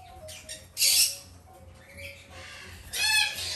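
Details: Two captive-bred female black-headed caique chicks, still hand-fed three times a day, give two harsh, raspy squawks about two seconds apart, with faint higher chirps and a low background hum between them.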